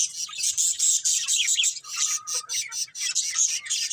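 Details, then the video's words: Colourful budgies chattering together in a busy, unbroken stream of bright, high chirps and rasping warbles, rising and falling in loudness every half second or so. "Cute Colourful Budgies Chirping Sounds"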